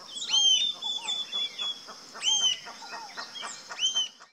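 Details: Rufous-tailed jacamar (Galbula ruficauda) calling in the wild: sharp, high, arched whistled notes, with strong ones near the start, middle and end and softer chipping notes between. A steady high insect drone runs throughout.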